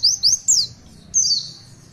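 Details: Oriental white-eye, called pleci, with a short snatch of its long 'tulitwitwit' song: three quick rising-falling high whistles followed by a longer drawn-out descending warble.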